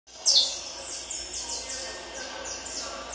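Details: Peruvian saffron finch being prepared for a song tournament: one sharp, loud high note opens, followed by fainter high descending sweeps repeated through the rest of the clip.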